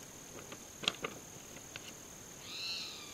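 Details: Spotted Towhee giving its contact call in Arroyo de la Mina near Embudo, New Mexico, on July 9, 2012: one drawn-out, slightly rising, mewing note near the end, after a few dry ticks and clicks over a steady high insect-like whine.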